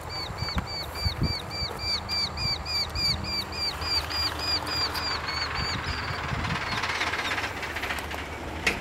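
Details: Eurasian hobby (Falco subbuteo) calling: a fast, even series of clear, slightly downslurred 'kew' notes, about three to four per second, lasting some six seconds, over low rumbling background noise.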